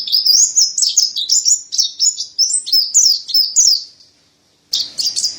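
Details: Mountain white-eye (white-breasted white-eye, Montanus) pouring out a run of high, clear slurred whistles for about four seconds. The song stops briefly, then a fresh burst of twittering begins at the end.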